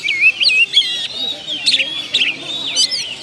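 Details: Oriental magpie-robin song used as a lure to bring out other birds' mimicked repertoire: high, varied whistled phrases with sharp upslurs and trills, several short bursts separated by brief pauses.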